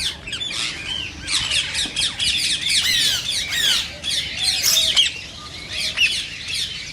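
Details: Rose-ringed parakeet, the green Indian ringneck, heard with sounds meant to prompt other parakeets to sing and mate; rasping high screeches in uneven clusters, some with falling slurred notes, over a faint low hum.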